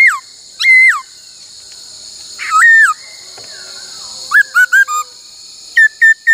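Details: Laughingthrush singing during song training: clear whistled notes with rising and falling slurs, given in separate bursts with pauses, ending in a quick series of short whistles, over a constant high electronic hum.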